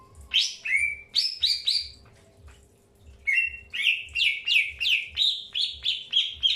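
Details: Greater green leafbird during early pairing: a few sharp falling chirps and a brief pause, then a steady string of loud, bright chirps repeated roughly three times per second.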